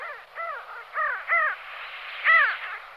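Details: Pin-tailed sandgrouse (Pterocles alchata) giving about five nasal, harsh, arched notes at an uneven pace over three seconds, each with a rich ringing overtone; no other sounds stand out.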